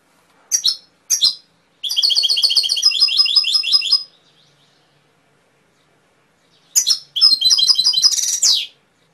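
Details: Canary giving a few sharp chips, then a long, rapid rolling trill of repeated high notes, a quiet gap, and another chirpy trilled phrase.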